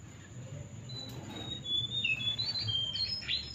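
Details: Male jongkangan song of high, clear whistled notes that shift up and down in pitch, becoming quicker and louder toward the end, with faint low background noise.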